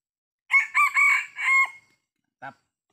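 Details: Sumatran red junglefowl crowing during traditional trapping in Sumatra: a loud, harsh multi-part crow of several strained, buzzy syllables with a drawn-out final note, then a short low cluck.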